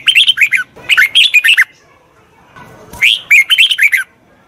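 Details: Red-whiskered bulbul song for a wild-caught bird in training, three dense bursts of fast, chirpy whistled notes, each lasting under a second, the last after a brief quiet gap.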